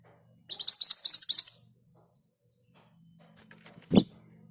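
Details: Rolling 'ngerol' song of a Scarlet minivet: a fast burst of about eight high upslurred whistles lasting about a second, then quiet and a single low knock.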